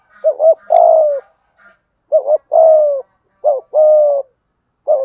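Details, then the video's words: Spotted dove lure bird cooing, local 'thổ' voice style with 'thúc gù' coos: phrases of short low hoots followed by a long drawn, slightly falling coo, repeated about every one and a half seconds; quiet background. "chim cu mồi thúc gù đủ bài"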